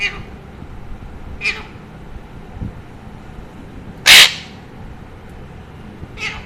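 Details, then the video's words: Talking pet Alexandrine parakeet gives a series of short, sharp calls spaced a second or more apart, with one very loud, piercing screech in the middle, while its owner coaxes it to eat. "Chatty Alexander Parrot Talking"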